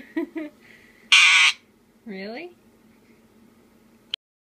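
A sun conure gives a harsh, shrill squawk, then a short gurgling burp-like sound that bends in pitch.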